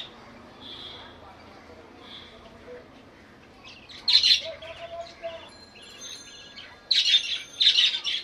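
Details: Budgerigar heard in short chirping bursts after a quiet start, scratchy buzzy notes around four seconds and again near seven to eight seconds, with low background hum.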